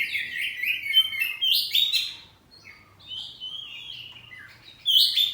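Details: Oriental magpie-robin, kept at home, delivering a continuous varied song of sweet whistles, slurred rising and falling notes and scratchy high squeaks, loud and lively with a quiet hum behind.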